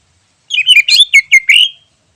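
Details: Wild greater green leafbird: a single fast, run-together phrase of warbling, chattering notes ending in a longer rising whistle, with nothing else audible. The recording is meant as a lure.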